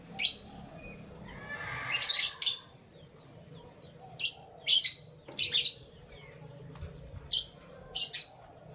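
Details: Canaries chirping in the morning: separate high, sharp chirps and short twittered bursts spaced a second or more apart over a faint background hum.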